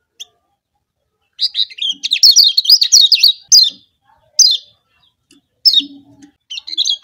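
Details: Lure song of the Lombok yellow kecial, a white-eye, used to draw rival birds into singing: a dense twittering burst of high chirps followed by sparse, single downslurred whistled notes, with soft low hums in the gaps.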